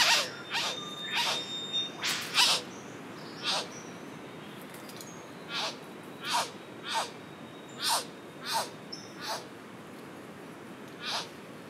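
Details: Male Satin bowerbird calling to a female at O'Reilly's Rainforest Retreat, recorded on a Panasonic Lumix GH5s: harsh, broadband rasping notes repeated irregularly about every half second to second, loudest early, then spaced bursts.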